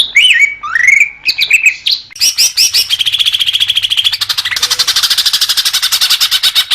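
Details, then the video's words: Singing greater green leafbird opens with rising whistled slurs and chips, then shifts into a long, fast, buzzy trill of rapidly repeated notes lasting several seconds. "Suara Cucak Hijau Biar cepat gancor"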